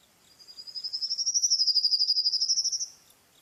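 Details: High, fast trill from a songbird: evenly spaced pulsed notes rising slightly in pitch, swelling and holding for about two and a half seconds before fading out.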